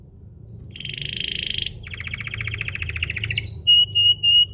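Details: Domestic canary singing to prompt other canaries to sing: two stretches of dry, rapid buzzing trill followed by a string of pure, ringing whistled notes at varied pitches.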